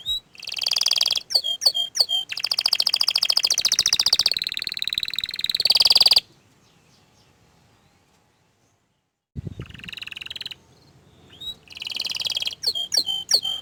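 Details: Orange frost canary in full song, long stretches of dense rapid trills and rolling buzzy phrases, broken by a silent gap of about three seconds before more trilled phrases resume.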